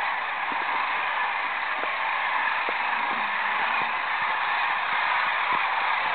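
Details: Large roost of sandhill cranes flushed by an approaching eagle on the Platte River, recorded from a sanctuary blind on 30 March 2012. Massed rattling calls blend into an unbroken roar of countless overlapping voices.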